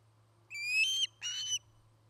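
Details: Osprey at a treetop nest in Charlo, Montana, on 09-08-2018, picked up by a nest camera: two short, high whistled notes, the first rising slightly, then quiet with a low hum.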